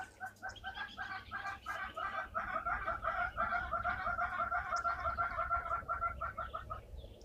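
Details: Hornbills at a waterhole calling as part of a display: a long run of hollow, clucking notes, about three a second, that swells and holds steady over a low background rumble.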